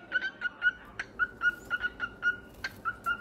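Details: Cockatiel singing: a steady run of short, identical mid-pitched whistled notes, roughly one every quarter second, with a few brief harsher accents, over a faint hum.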